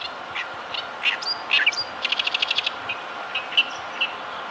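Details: Oriental reed warbler, one of a chorus heard from a riverside embankment in northern Harima, inland Hyōgo, Japan, singing harsh, grating, chattering notes, including a rapid stuttering burst of about eight notes, over a faint steady background hum.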